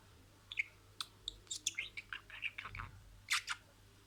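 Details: Pet budgerigar imitating words: a steady string of short, high chirpy syllables and clicks, about three per second, ending in a louder scratchy double burst, set against an indoor background hum.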